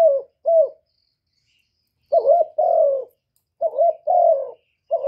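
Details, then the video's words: Spotted dove lure call for stimulating doves: repeated phrases of a hoarse two-part coo followed by a long, slightly descending coo, spaced about one and a half seconds apart. "Tiếng cu gáy Kích bổi"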